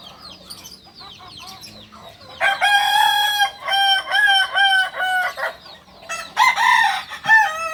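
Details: Kukuak balenggek rooster, purebred, Solok, West Sumatra: after soft chirping, a long crow broken into several pulsing segments over three seconds, followed by a second shorter burst.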